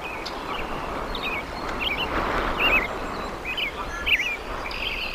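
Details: Bald eagle calling at a massive nest in Decorah, Iowa, dated 01.04.2024: short, high, twisting squeals given in a loose irregular series, several per second at times, against constant broadband wind or stream noise.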